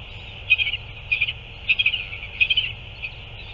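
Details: Northern royal albatross recorded on 9 February 2024 during a chick feeding: a series of short chirping notes in quick bursts of three or four, about every half second to second, over a steady hiss.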